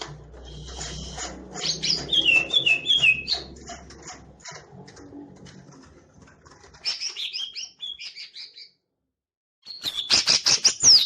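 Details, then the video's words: Green leafbird singing with fanned tail: busy chattering phrases and repeated descending whistled notes over a low background hum, then a quieter warbled passage, a silent second, and a sharp, loud flourish of chips. "CUCAK IJO MAIN EKOR NGIPAS"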